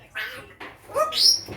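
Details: A pet African grey parrot indoors, with its owner talking nearby, gives two harsh, breathy squawks, then a short tonal note and a bright whistle sweeping upward.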